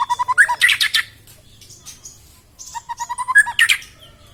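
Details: White-rumped shama song used to stir reluctant shamas into singing: quick series of short repeated chirps, then loud dense bursts of rich notes and squeaks, the pattern repeating after a pause.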